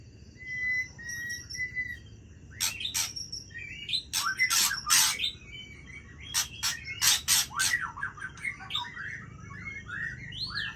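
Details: Aceh white-rumped shama in full midnight song: steady level whistles at first, then loud harsh crackling bursts mixed with quick rising and falling whistled phrases, delivered in uneven rapid series.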